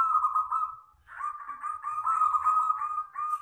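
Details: Zebra dove from local wild stock giving the long crystal-type perkutut song. A continuous string of rapid, rough, pulsing coos runs almost without pause, with a short break after the first phrase.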